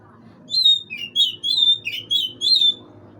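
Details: A magpie-robin gives chirping meant to lure an opponent: a quick run of about seven clear, varied whistled notes, some rising and some falling, over a low background hum.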